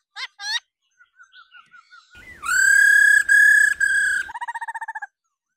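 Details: Female laughingthrush uttering ro ro calls to excite males: soft short notes at first, then three loud sustained level whistles, ending in a fast trilled run of about ten quick notes.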